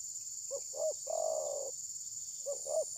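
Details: Trapping decoy spotted dove that will not attack its rival, recorded on a phone: one full phrase of two clipped hoots and a long throaty rolling coo, then the next phrase starting, against a continuous high insect whine.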